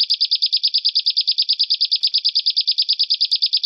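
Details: Harsh 'besetan kasar' bird song used as a training recording for caged songbirds and contests: a fast, steady stream of buzzy, high chattering notes, about eight per second, held evenly throughout with no other sounds.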